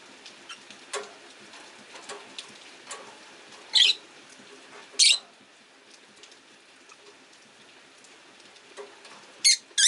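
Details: Caged rosy-faced lovebirds, five birds kept indoors by a window while rain falls outside, one orange-faced bird competing for a perch spot; scattered short chirps build to loud harsh squawky chirps, spaced irregularly.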